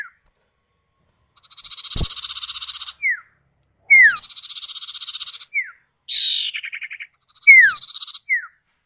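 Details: Common iora (sirtu or cipow), male and female trading calls, a lure meant to set other birds singing: long buzzy trills, each capped by a quick downslurred whistle, with sharp falling notes starting new phrases.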